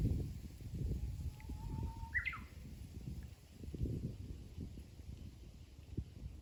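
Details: Faint Japanese bush warbler song: a thin, low steady whistle followed by a short flourish of quick higher notes, partly masked by continuous low rumbling noise.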